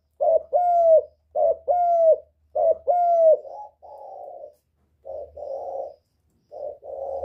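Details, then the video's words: Spotted dove used to stimulate birds: three crisp paired coos, a brief note and a longer falling hoot, followed by softer, flatter, breathy coos spaced about a second apart. "Cu Gáy Giọng Cực hay kích bổi hiệu quả nhất, terkukur"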